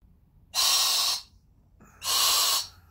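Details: A male pet Sulphur-crested Cockatoo, relaxing indoors in a shop, suddenly gives two harsh, breathy hissing bursts about a second and a half apart; it kept this up for five minutes and has done it before, for reasons its owner cannot explain.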